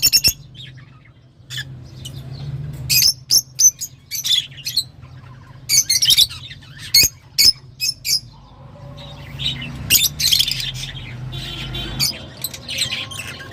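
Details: Lovebird producing sharp, clipped high squawks in a rapid irregular series, then a denser stretch of shrill chattering toward the end, with a low background hum.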